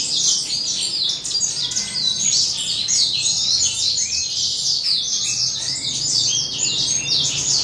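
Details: Adult male Western Citrils in morning sun, shortly before breeding, sing as a group: an unbroken mass of high, quick chirps, trills and warbling notes from many overlapping birds, with a faint low background hum.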